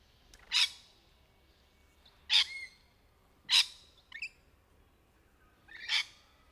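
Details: Four loud, harsh, grating screeches from rainbow lorikeets in the trees, spaced roughly every one to two seconds, with a brief softer squawk between the third and fourth, part of their courtship and mating calls.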